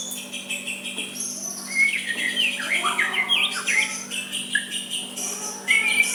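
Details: White-rumped shama giving soft song meant to provoke a rival into replying: varied whistled phrases, rising and falling slurs and short trills, with a steady low electrical hum underneath.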